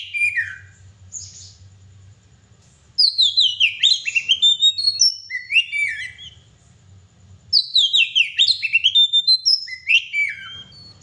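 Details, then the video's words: Oriental magpie-robin (kacer) in full energetic gacor singing: loud bursts of high whistled, sliding notes and rapid chattering phrases, with a pause of about two seconds and a quieter gap near the middle, over a faint low hum. "kacer gacor"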